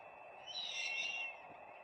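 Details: Peregrine falcon calling at its nest, 4 May 2025, live camera: one rasping, slightly wailing note lasting under a second, set against a low continuous hum.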